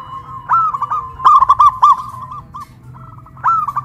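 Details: Two local caged zebra doves in Kuningan, West Java, one big-voiced and one crystal-voiced, cooing in a loud duet atop a hoisting pole. Phrases of rolling, bubbly coos rise at the start, with a low hum beneath.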